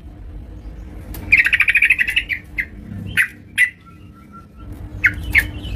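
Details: Yellow-vented bulbul singing actively at home: one brief run of rapid, pulsing chattered notes, followed by scattered single sharp chirps over a quiet background with a low hum.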